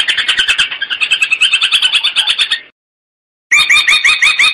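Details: Long-tailed shrike song used as a training (masteran) recording in the gabusan lampir style: a fast, scratchy chatter of harsh notes, about three per second, broken by a short silent gap before the chatter resumes.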